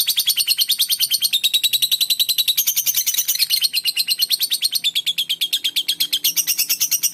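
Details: Shy fighter-type lovebird kept as a house bird, chattering continuously in a fast, harsh, high-pitched stream of clipped notes that stays steady and busy throughout, with no other sounds.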